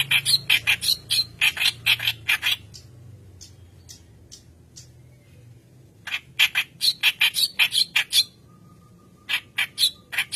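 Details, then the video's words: White-browed kerak basi (reed warbler) in persistent song, recorded as lure material for untrained birds: three bouts of loud rasping, squawky chatter separated by quiet gaps of several seconds. "Keras Basi Alis Putih Gacor Pancingan Bahan"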